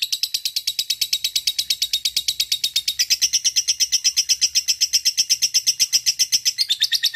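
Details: Fighter lovebird delivering a long ngekek panjang, a trill used to call a rival: seven seconds of nonstop, rapid, grating notes, loud and regular, brightening in tone midway before a brief change near the end.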